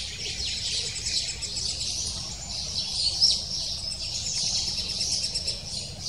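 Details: Lesser spotted woodpecker chick calling for its parents at the nest: sharp, high squeaky notes in quick clusters, one louder peak midway, soft low hum behind.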